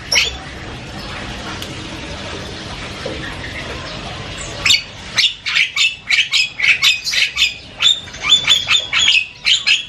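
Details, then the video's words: Loud, varied chatter of an Asian pied starling, starting after a few quiet seconds with a rapid run of harsh squawks and sharp chirps that come roughly twice a second. "SUARA JALAK KEBO NGOCEH KERAS BERBAGAI VARIASI BUNYI"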